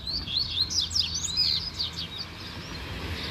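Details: A Rusty-collared seedeater pours out a fast, high, twittering warble of quick slurred notes for about two seconds, then fades into softer chips over faint background hiss. A caged male and a wild bird sing in the bush, with an agitated female near her nest.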